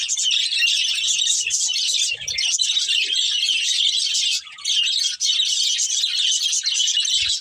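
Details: Steady, dense twittering and warbled chatter from a breeding pair of budgerigars, with brief dips and a couple of soft low knocks.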